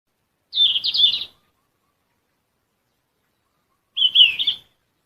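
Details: A yellow-rumped flycatcher (Ficedula zanthopygia) in Bogor sings two short, high warbled phrases of quick jumbled notes, about three seconds apart, against a quiet background.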